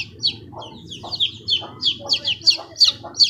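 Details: Fifteen-day-old chicks peeping: loud, high, downward-sliding cheeps repeated about three times a second in a steady run, with a soft low murmur underneath.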